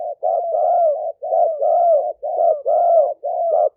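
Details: Spotted dove decoy recorded live at a dove camp in Roi Et, Thailand, for luring wild doves: mellow mid-pitched coos in grouped phrases, a short note then longer wavering coos, repeated steadily with brief gaps.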